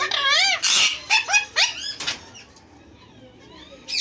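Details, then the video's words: Pet male Indian green ringneck parakeets indoors, producing loud, harsh, warbling vocal phrases and squawks, like garbled talking, with quieter sounds between bursts. "Two male ringneck talking very well"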